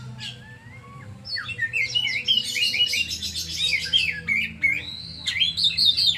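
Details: Oriental magpie-robin (kacer) singing a rich, varied song of high whistles, rapid trills and sliding notes, building into dense twittering bursts, over a faint steady low hum.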